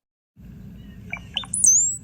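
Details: Brown-headed cowbird (Molothrus ater) song: two low gurgling liquid notes, then a thin, very high slurred whistle sliding downward, over a soft low rumble.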